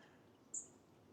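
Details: A goldcrest very close, about six feet overhead in a bush, gives a single very high, thin, sibilant note, brief and piercing, against a faint background hush on an August evening in Southampton Old Cemetery, England.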